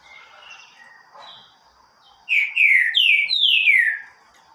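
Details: Green-winged saltator delivering a loud, forceful song of four slurred whistles sweeping downward, rising in starting pitch with each note, after softer chirps and faint background birds.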